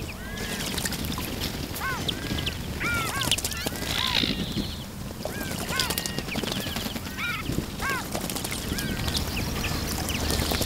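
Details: A group of Iberian magpies (Cyanopica cyanus) bathing in a fountain give repeated arched, slurred whistling calls, often overlapping, over a steady rush of splashing water.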